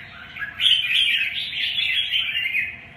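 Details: Red-whiskered bulbul in song, a loud continuous chattering warble of high chirpy notes starting abruptly and holding for over two seconds, with a faint steady hum beneath.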